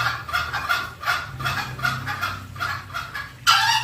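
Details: Green junglefowl lure call meant to attract wild birds: spaced, clipped clucking notes followed by a sudden loud, rough, sustained call at the end.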